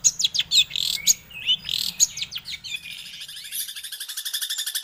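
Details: Long-tailed shrike (Lanius schach) song, used as playback to make other shrikes respond and sing: a rapid jumble of harsh chattering notes and high whistles, then a fast, steady buzzy trill running to the end.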